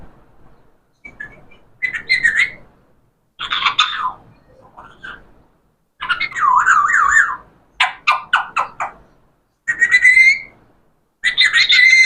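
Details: Talking parrot chatters in a string of varied speech-like phrases, squawky syllables and wavering whistles, with brief pauses between bursts.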